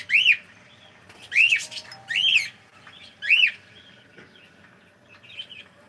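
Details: Pet cockatiel saying good morning: four loud arched, harmonic squawky phrases at irregular intervals over about six seconds, with fainter chirps near the end in a quiet room.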